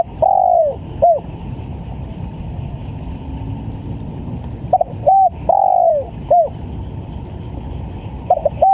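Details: Spotted dove recorded as a very vocal lure for trapping birds, sounding clipped falling coos in two phrases separated by a long pause, over persistent low rumble and hiss.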